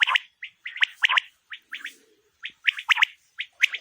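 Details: Female quail calling for hunting: clusters of quick, sharp chirps repeated irregularly, some single and some doubled or tripled, with a short gap midway and a faint low rustle.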